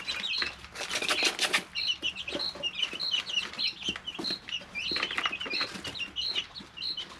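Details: Domestic chicks, three weeks old, in a brooder give a busy overlapping chorus of thin, high cheeps. A loud burst of scratching or shuffling comes near the start, then lighter taps.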